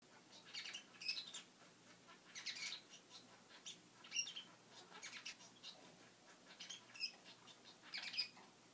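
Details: Young male society finch learning to sing, giving quiet, rambling subsong after the light was turned off: soft scratchy and buzzy twitters in irregular bursts, with a few thin, high notes mixed in.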